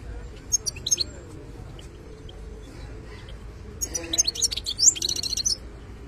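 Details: European goldfinch, a 'khlawi' wild bird, giving 'btebta'-style song: a few brief high twitters early, a quiet pause, then a lively burst of fast buzzy trills and liquid tweets near the end over low hum.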